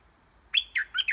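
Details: Decoy red-whiskered bulbul, caged and singing repeatedly to bring a wild rival down to fight; a short phrase of four clear, lilting whistles, the first one loudest.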